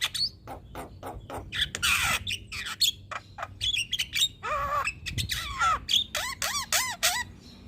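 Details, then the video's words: Javan myna (jalak kebo) singing loudly, for use as a master recording to stimulate other birds; harsh squawks and rattles, then a run of repeated arched whistled notes toward the end. "Burung Jalak Kebo Gacor Mental Juara Tetap Bunyi Siang Malam Pas Buat Masteran dan Pancingan"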